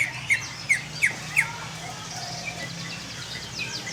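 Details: Greater green leafbird giving four sharp, downslurred chirps about a third of a second apart, then quieter faint notes, over a steady low hum.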